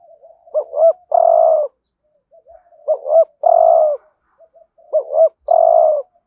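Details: Spotted dove used as a lure to attract wild doves, cooing in a full hurried sequence. Three phrases, each of soft low notes, two bouncing rising-falling coos, then one long rich coo, repeating about every two seconds in silence.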